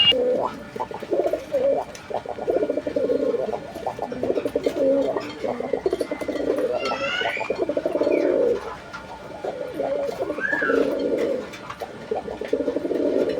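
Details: A pair of Raj-Golla Lahori domestic pigeons (Columba livia domestica) at a loft in Gazipur, Bangladesh, coo in low, throbbing, rolling phrases that repeat steadily with brief pauses.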